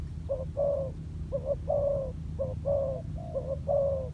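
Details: Decoy spotted dove training on the ground utters rhythmic coo pairs, a quick note and then a sustained gently descending coo, four times in a row against a low steady drone.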